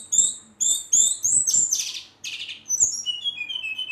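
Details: Brown-chested jungle flycatcher singing vigorously in a rolling, agitated style meant to provoke rival birds: high whistled notes and short buzzy bursts, then slurred descending whistles, with soft clicks in the background.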